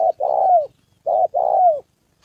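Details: Spotted dove from Gia Lai, Vietnam, working as a decoy against a wild bird and a female: two paired coos, each a clipped note then a long mellow one sliding down at the end.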